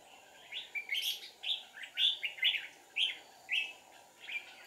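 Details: Wild red-whiskered bulbul, very aggressive, scolding a decoy bird at a deep-forest trapping site on 1 April 2019: a lively series of short, clipped, warbling chirps, roughly two per second, against a steady droning background.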